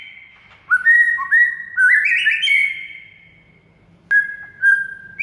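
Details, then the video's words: White-rumped shama whistling, played to make silent shamas sing loudly: a staircase of rising clear notes held into a long tone, then a sharp click and a few short steady whistles. "DALAM HITUNGAN DETIK MURAI BISU AUTO GACOR DOR DENGAR MASTERAN SATU INI"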